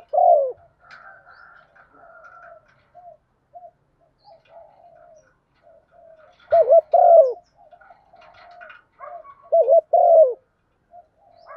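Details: A female spotted dove calls to make males coo: low soft murmurs, then two clear phrases of paired rising hoots and a falling purr, with faint higher bird chatter in the background.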